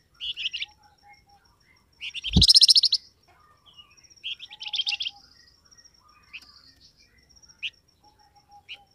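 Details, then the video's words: Flamboyan bird call, played as a lure so wild birds answer: loud buzzy chattering bursts repeat every few seconds, with thin high whistled notes, faint soft lower notes between, and one sharp thump. "SUARA BURUNG FLAMBOYAN, DIJAMIN LANGSUNG NYAUT BUNYI"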